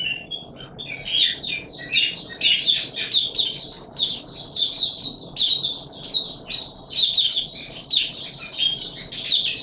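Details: White-eye singing in warm humid weather: a continuous high, rapid twittering stream of jumbled chirps and trills, steady throughout with faint indoor hum beneath.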